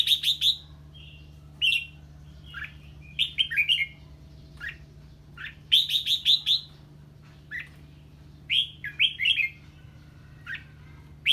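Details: Red-whiskered bulbul singing in reaction to a strange bird nearby, repeating short clear whistled phrases of falling, slurred notes in irregular bursts, with a steady low hum behind.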